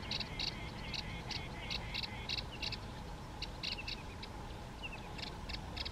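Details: Yellow-eyed babbler singing in India: a fast series of short, bright notes repeated about every third of a second, fairly quiet and steady, over a constant hiss of background noise.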